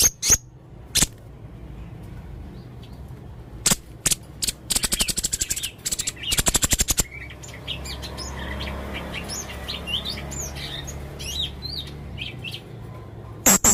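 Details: Male blue-crowned hanging parrot in a chatty mood: isolated clicks, then a fast rattling burst of ticks, then a stream of thin, high, twittering squeaks, over a steady low hum.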